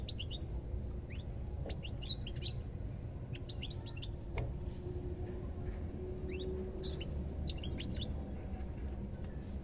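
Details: European goldfinch twittering in loose clusters of thin, high chirps separated by brief pauses, set against a continuous low-pitched rumble.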